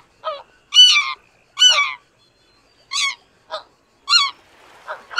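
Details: High, clear, ringing yelps from greater white-fronted geese, given singly and in pairs with pauses of about a second. A faint rustling noise is heard near the end.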